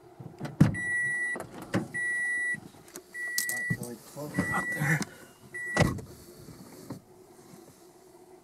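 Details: Inside a car, with electric window motors, short repeated electronic beeps, thumps and faint speech, and no animal sound.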